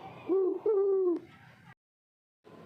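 An owl gives two low, hollow hoots in quick succession, the second longer and slightly wavering, followed by faint background hiss.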